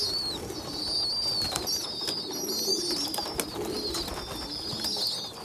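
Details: Young pigeons, a small underdeveloped one feeding stronger youngsters; high, trembling whistled squeals in long phrases, with murmuring low coos and a few clicks.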